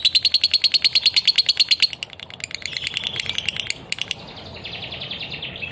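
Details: A lovebird sings in the rapid "konslet" style, a fast unbroken stream of high, shrill chattering notes.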